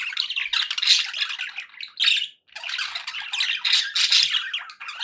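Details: Pet budgerigars sounding happy: a busy scratchy warble of chirps and squeaky notes, broken by one short silence midway before the chatter resumes.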